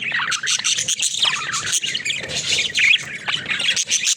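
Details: Budgies at play in a cage, loud harsh squawks and rapid warbling chirps from several birds, nearly nonstop with short gaps.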